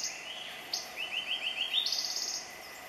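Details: A male Yellow-breasted boatbill (Machaerirhynchus flaviventer) sings from a lower branch: a quickening run of about seven short, rising high notes, then a faster, higher twittering trill, over steady insect hum.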